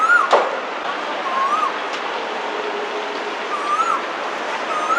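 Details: Male Asian koel calling for a mate in spring in a busy urban area of Hong Kong. Short, clear, upward-slurring whistled notes recur every few seconds, partly masked by loud, constant city noise.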